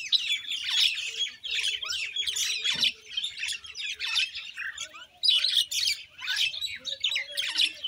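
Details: Common Indian myna: a dense, continuous chatter of harsh, squawky notes mixed with short high whistles, in overlapping bursts with brief pauses near three and five seconds.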